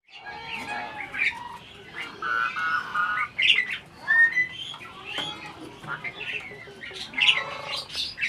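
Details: Adult breeding Asian pied starling said to be talking as if inviting conversation: a varied run of harsh squawks, short whistles and harmonic, voice-like notes, rising and falling irregularly with brief pauses.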